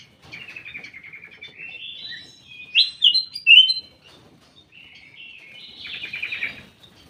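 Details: Ruby-throated bulbul in a private aviary singing a rambling series of chattering notes, then loud clear whistled phrases, then a softer buzzy trill.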